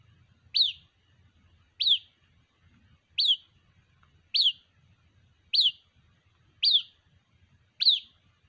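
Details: A young white-breasted waterhen gives seven shrill, down-slurred peeps at a steady pace of roughly one every 1.2 seconds, calling to its mother. Faint low murmur underneath.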